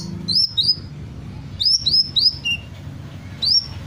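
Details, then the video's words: Sunbird singing and mimicking various birds: groups of two or three bright, high, upward-swept chirps, with a brief lower note and pauses between bursts, over a soft low hum. "Burung Kolibri gacor, menirukan berbagai suara burung"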